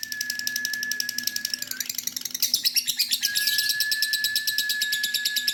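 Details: A female lovebird keeps up a long ngekek chatter, its shrill pulsed chirps repeating nearly three per second, growing louder and harsher in the second half, with a constant thin tone behind.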